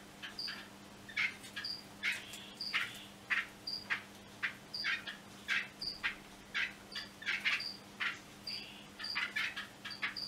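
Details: Yellow-bellied wattle-eye (Dyaphorophyia concreta) calling in a busy series of sharp chirps and brief high whistled notes, repeated about every half second, with a faint constant hum beneath.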